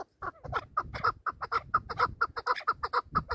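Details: A hunting chukar partridge at a calling contest gives a clear, rhythmic series of sharp chuck notes, about three a second, speeding slightly, with little background noise.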